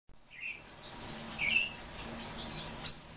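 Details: Japanese white-eyes kept as cage birds: a few short, thin high chirps and a brief twittered note, with pauses between, over a low steady hum.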